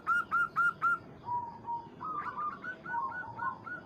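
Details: Local zebra dove calling a rival, used as a lure to provoke other birds: four loud hooked cooing notes in quick succession, then softer lower trills and a run of repeated coos at the end.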